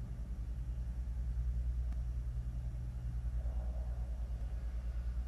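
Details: Steady low engine rumble, like a passing vehicle, with a faint hum and no animal voice.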